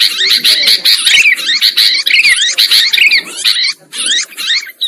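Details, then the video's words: Sooty-headed bulbuls calling in a trapping lure recording: crowded, harsh chatter with quick slurred whistles, loud for four seconds then thinning into scattered bursts. "Suara Pikat Burung Kutilang Ampuh"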